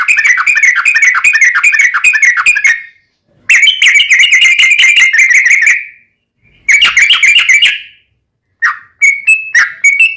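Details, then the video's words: Long rolling song of a yellow-vented bulbul, played to provoke caged birds into singing back: three fast bubbly chattering bursts, each a few seconds long and split by short silences, then a few scattered sharp notes. "SUARA trucukan gacor ROPEL PANJANG pancingan trucukan agar bunyi"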